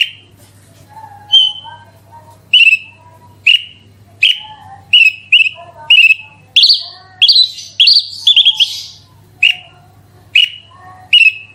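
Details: Horsfield's bush lark in lively 'gacor super roll tembak' song, used as a lure to get other larks singing: sharp high chirps and slurred whistles repeated roughly every second, with softer lower notes between them and a steady low hum.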